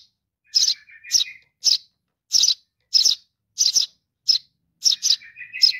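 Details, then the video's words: Sparrow chick begging for its mother, uttering harsh chirps, some in quick pairs, with a thin, level whistled tone beneath the first calls and a rising whistle at the close. "suara anak burung gereja memanggil induk .baby sparrow calling for mom"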